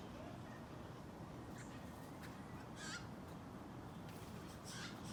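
A young Steller's jay gives three short, harsh, raspy calls spaced a second or so apart, over a steady low rumble of background noise.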